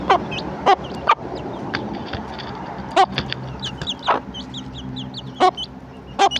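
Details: Hen calling her chicks to breakfast with loud, sharp clucks spaced about a second apart, while small chicks peep in thin rising and falling notes throughout against a quiet hum.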